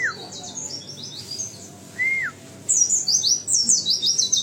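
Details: High, rapid white-eye twittering from a one-year-old conservation-bred bird, broken by a single lower downslurred whistle, then a bright burst of quick sweeping chirps.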